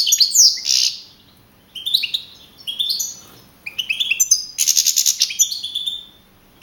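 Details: Young male European goldfinch of wild type, champion of a 2012 singing contest near Madrid, Spain. Sharp high slurred notes, then short bright phrases and a harsh buzzy burst before fast liquid twittering.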